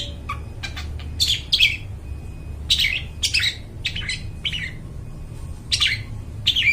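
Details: Clear, ringing long-tailed shrike song used to lure forest birds: scattered short chirps and harsh, buzzy clusters, some descending, with brief pauses between bursts, over a faint low rumble.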